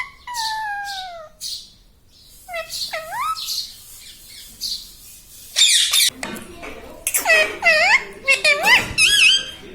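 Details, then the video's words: Pet green ring-necked parrot kept indoors, talking and imitating words such as mummy and papa; tonal harmonic phrases gliding downward, then a burst of harsh squawks and rising-falling whistled syllables near the end. "Parrot talking mithu papa || bolta tota || बोलने वाला प्यारा तोता"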